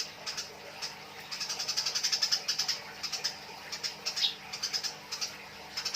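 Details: Eurasian tree sparrows in a fight, giving a long harsh chattering sequence of quick, sharp chirps that speeds up into a dense rattle, breaks off, then resumes in uneven short bursts over low hiss.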